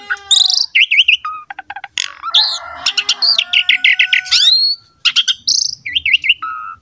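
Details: Vigorous Asian pied starling song serving as a tutor model for juvenile and wild-caught starlings: wavering whistles, a scratchy grating passage, bubbling notes and clear slurred whistles in quick succession.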